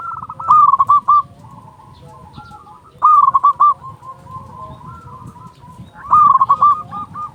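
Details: Loud local zebra dove, a perkutut singing as a lure for other doves: three short rattling phrases of quick cooing notes roughly every three seconds, with quieter doves cooing between.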